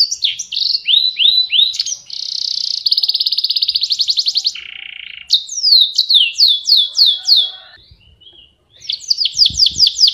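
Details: Canary (Serinus canaria), sung long and lively as tutor song for other songbirds: high rapid descending sweeps in quick series, a steady pulsed trill, a brief lower buzzy note, then more fast downslurred notes after a short pause.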